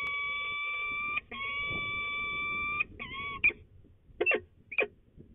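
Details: Peregrine falcons at their nest site in De Mortel, the Netherlands, on 28 March 2020. Two drawn-out, flat, ringing wails are followed by a short wavering note and three brief sharp chips, over quiet low background noise.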